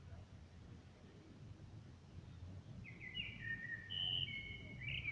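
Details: Smartphone recording of a blackbird singing outside a window: several seconds of low droning, then a clear fluty whistled phrase with a twittery finish near the end.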